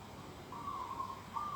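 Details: Organic garden at dawn, 11 December 2021: one drawn-out, slightly quavering whistled note rising into a second tone, over a soft steady background.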